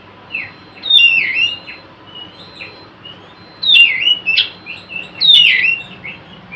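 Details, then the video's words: Nyrecet-style Oriental magpie-robin call meant to make other magpie-robins sing: three loud bursts of scratchy, rising and falling whistled notes, with softer chips between them and a thin constant high-pitched tone in the background. "Suara Kacer Nyrecet Pancingan Kacer bisu agar mau bunyi gacorr"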